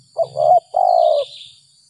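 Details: Coo phrase of a spotted dove caught by trappers after rain, a gagap 6 mata singer: a clipped opening note, a wavering middle coo, then a long level hoot that drops at the end, with a faint low hum beneath.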